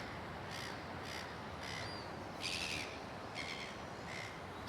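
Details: A gull screams at a White-faced Heron that ignores it: six harsh, raspy screams about every two-thirds of a second, the fourth longer and louder, over steady background rushing noise.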